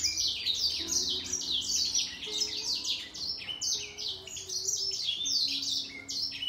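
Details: Grey singer finch matched against a green singer in a song contest. Steady, high-pitched warbling of repeated falling whistles and buzzy chirps continues throughout, the voices interleaving.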